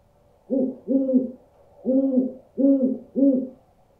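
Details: Five deep owl hoots played to scare birds, grouped as a double note followed by three spaced hoots, each steady and mellow over a quiet background.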